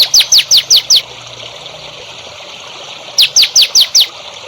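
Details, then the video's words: Songbird song used as a training recording for young birds being raised as contest champions: two bursts of five sharp, high, downward-sweeping notes in quick succession, separated by a pause of about two seconds. "MASTERAN BURUNG HANDAL UNTUK CALON BURUNG JAWARA"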